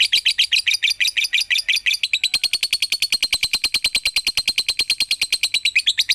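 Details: Lovebird lure recording used to provoke other lovebirds into singing; a jumbled burst of high chirps for two seconds, then a fast, even train of sharp chirps, roughly ten per second, continuing to the end.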